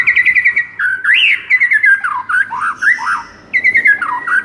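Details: White-rumped shama song used as tutor audio to rouse a listless shama: clear whistled notes around the middle pitch range, a quick repeated run of short notes, then rising and falling slurred phrases with brief pauses.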